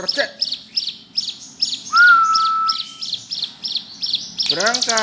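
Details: Bar-winged prinia, in full steady song, gives sharp high chips about three per second. A pure whistled tone runs through the middle. A lower descending harmonic call follows near the end, with a faint low hum beneath.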